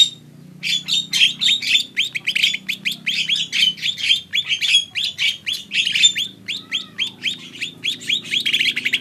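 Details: Lesser green leafbird in steady, rapid song: bright, clipped upward notes repeated almost without break for several seconds, mixed with buzzy high flourishes and a faint low hum behind.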